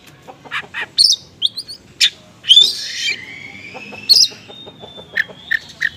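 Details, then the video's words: Oriental magpie-robin lure song, konslet style mixed with small-bird material: short chips give way to high squeaky notes, then a long gliding whistle that falls and levels off, followed by scattered sharp notes. "PANCINGAN KACER KONSLET MATERI BURUNG KECIL"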